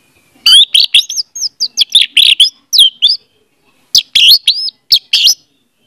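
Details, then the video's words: Orange-headed thrush singing as a lure for a silent bird: a fast, varied run of bright whistles, slurs and chirpy notes in quick succession, a short pause, then a second lively burst. "audio suara anis merah || pancingan ampuh untuk ania merah membisu"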